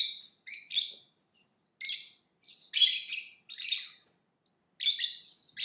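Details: Lovebird chirping: sharp, shrill, harsh chirps in quick clusters, with bursts of two to four notes separated by short pauses. Some notes are buzzy, others thin and squeaky, and there is no other clear sound.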